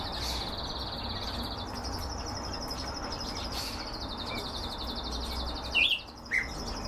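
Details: Canaries kept for breeding sing a long, fast rattling trill of high repeated notes that shifts slightly higher midway, followed by two sharp chirps near the end, over constant low rumbling noise.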